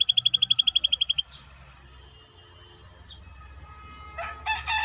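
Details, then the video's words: Maestro bird singing: a fast, evenly repeated high metallic trill of about a dozen notes lasting just over a second, then near-quiet, ending with a few louder bright chirps. "احلى تغريد مباشر لطائر المايسترو 🐦The best direct tweet of the Maestro bird"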